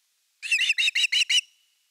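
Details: Osprey at nest #3, Finland, evening fish on 30 August 2021, live nest camera audio. Six slurred whistled chirps run together within one second, ending in a thin trailing tone.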